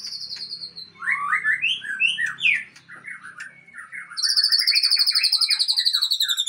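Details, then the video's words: Aceh-type white-rumped shama breeding stock giving a varied phrase of slurred, swooping whistles, then a fast, steady, high-pitched repeated note series, about four per second, running to the end. "Murai Aceh"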